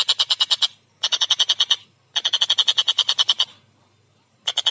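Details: Collared kingfisher song in repeated bursts of rapid harsh chattering notes, each burst under a second to over a second long, separated by short pauses, loud and clear against a quiet background.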